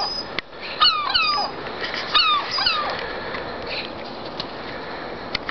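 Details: Seagulls on a roof give a few short, falling, nasal cries in two clustered bursts early on, then quieter fainter calls trail off against constant background hiss.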